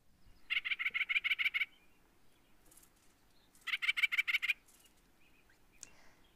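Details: White-breasted Nuthatch on Mill Creek Road, Big Bear Lake, 12 May 2021, gives its loud yammering call: two bursts of quick, nasal, evenly spaced notes, about ten per second-long series, over a faint background hum.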